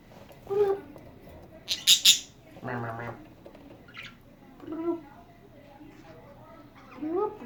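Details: Pet budgerigar chattering indoors: scattered short, sharp, high chirps and squawks, including a loud cluster of rapid shrill notes near the middle, with a person's voice talking softly between the calls.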